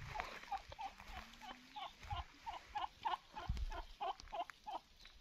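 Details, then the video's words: Wild turkey giving a quick run of short, hooked mid-pitched notes, repeated about three times a second with an uneven rhythm, over low rustling and background noise. "Wild Turkey Bird Sound"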